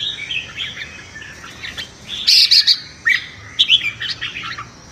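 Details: Red-whiskered bulbul singing competitively in the morning to train its voice: loud, clear whistled notes in short bursts after a softer start, ending in quick warbled phrases.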